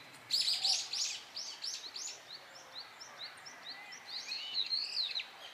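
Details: Brown-eared bulbul in Japan crying loudly as it feeds on cherry blossom nectar: a harsh squealing burst, then a series of short, falling chip notes at a quick steady pace.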